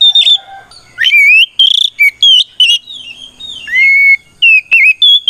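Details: Loud "ngeplong" fighting song of an oriental magpie-robin challenging opponents: a rapid string of piercing whistles, some sliding upward and some held flat, with quick notes between them and a soft low hum in the background.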